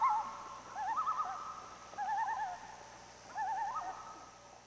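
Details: A common loon on Lake Florio, Québec, Canada gives three quavering, wavering mid-pitched calls, each about a second long, with short pauses between, over a faint steady hum.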